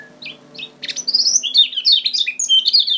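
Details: Kecial kuning (lemon-bellied white-eye) from Lombok, a recording used as a lure to set birds singing: high, fast twittering with sharp chirps and slurred whistled notes, bursts tumbling together in quick succession, no other clear sounds.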